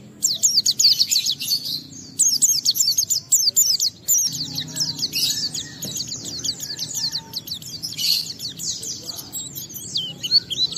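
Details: Oriental white-eye (pleci) in excited ngalas song meant to provoke other white-eyes to sing: long stretches of rapid high, thin descending notes in steady trills, broken by short gaps and buzzy bursts, with low background hum.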